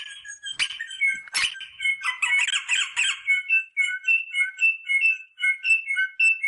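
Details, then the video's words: Rosella song offered to stimulate mating: a few sharp clicks and a brief harsh chatter, then a steady run of soft, evenly spaced piping whistles alternating between two pitches. "The sound of the rosella bird to stimulate mating"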